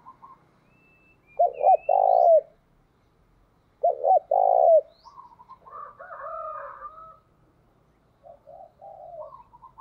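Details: Two loud, hoarse coo phrases from a decoy spotted dove kept in Vietnam to lure wild doves, each a brief doubled note followed by a long rough note. Softer coos from other doves overlap, and thin high whistles sound faintly.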